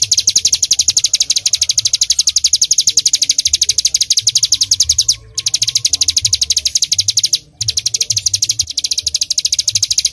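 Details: Mountain bar-winged prinia in full 'tembakan' rapid-fire style, offered as a tutor song for songbirds: an extremely fast, high, machine-gun run of identical notes, about four per second, broken by two brief pauses.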